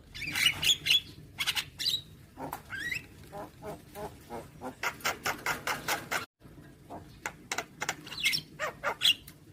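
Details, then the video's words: Javan myna singing, from a recording played each morning to train young birds: rapid series of dry rasping clicks and pulses, broken by a short pause, with occasional whistled slurs rising between them. "Masteran Burung JAlak Kebo Muda Agar Cepat GAcor Manggut Manggut"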